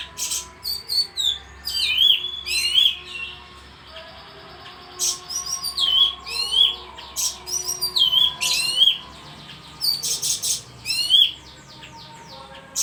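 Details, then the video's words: Bayeman bird singing constantly, repeating rapid phrases of high trilled notes that drop into a sharp whistled flourish, phrases coming every second or two with brief pauses, over a faint steady background hum. "suara burung bayeman gacor"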